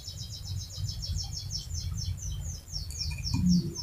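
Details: A gacor canary's long rolling song, meant to coax other canaries into singing: quick bright notes in an even trill, then a short higher flourish near the end, with a constant low hum underneath.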